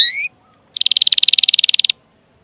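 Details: Canary sound used to encourage canaries to sing: a brief whistled chirp, a pause, then a buzzy trill of about twenty rapid pulses lasting just over a second.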